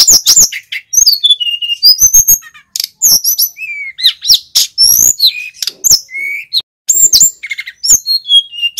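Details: Male mountain flycatcher in full song, used as a lure to teach young or newly caught birds: a loud, fast jumble of high whistles, sharp chirps and clicking bursts, with short slurred falling notes, and nothing else audible.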